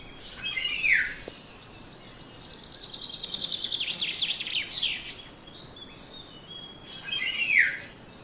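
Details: Black-naped oriole, a yellow bird, recorded on a phone or camera, giving two harsh, nasal, downslurred calls about six seconds apart, with a softer buzzy chattering run between them.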